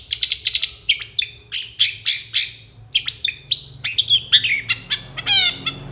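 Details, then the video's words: Master training recording of a long-tailed shrike singing actively in the 'dor konslet' style: fast, scratchy chirps and strident bursts, ending in a ladder of quick rising-and-falling sweeps. "MASTERAN CENDET GACOR DOR KONSLET"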